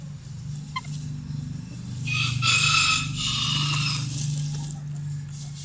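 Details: Early-morning rooster crow, a long drawn-out cock-a-doodle-doo swelling in the middle and tapering off, over a steady low hum.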